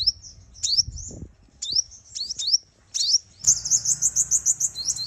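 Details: Female sunbird lure call used for trapping, meant to provoke males to fight; high thin rising chirps repeated in spaced pairs, then a fast even run of sharp notes near the end.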